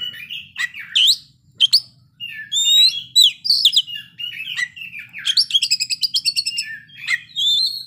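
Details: Oriental magpie-robin singing ngeplay, showing off isian phrases. Mixed whistles and chatters lead into a rapid run of about a dozen evenly spaced ticking notes, then a sustained high whistle.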